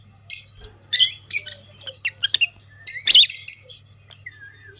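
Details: A pair of common lutino lovebirds chirping: loud, harsh, high squeaky chirps and squawks in irregular bursts, one buzzy burst near the end, and a short descending whistle, over a steady low electrical hum.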